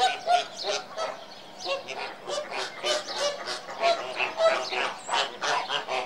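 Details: Many flamingos in a steady stream of loud, nasal, goose-like honks, overlapping calls pulsing several times per second throughout.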